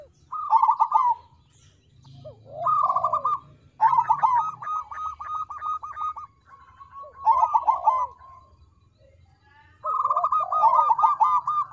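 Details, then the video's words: Crossbred zebra dove (perkutut krosing) singing as a lure to prompt other birds to sing: loud bursts of rapid warbled, rolling notes near one pitch, each phrase about a second long with short pauses, followed by softer dipping coos; low background hum. "Suara Perkutut Krosing Untuk Pancingan Agar Mau Bunyi"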